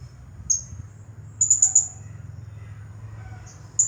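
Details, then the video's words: High, thin song of a champion blue-crowned hanging parrot in the 'nagih hutang' style: an isolated sharp note, a rapid burst of four piercing ticks, and a faint soft lower whistle, with steady low hum. "Serindit Juara Nonstop Bunyi Gaya Nagih Hutang"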